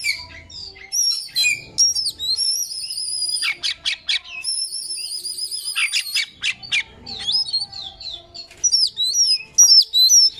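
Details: Oriental magpie-robin song used as a lure to get a bird to open its tail and sing: a varied, fast stream of high whistles, sharp chirps and trilled phrases, some rising and some falling, with short pauses between phrases.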